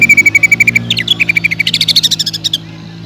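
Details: Greater green leafbird, a lively singing bird in full voice, used to lure other leafbirds into song: a fast string of about twenty sharp, repeated chip notes, steady then rising into buzzier, higher bursts.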